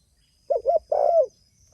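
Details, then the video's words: Single phrase of a spotted dove calling to others: two quick soft coos followed by one longer, wavering coo that slides downward at the end; thin high tone faintly present. "Suara Burung Tekukur Gacor Memanggil Temanya"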